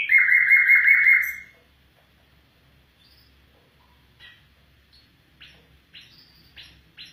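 A White-eared Bulbul gives one loud, bubbling, warbled phrase lasting over a second, then a few soft, brief chirps spaced a second or so apart.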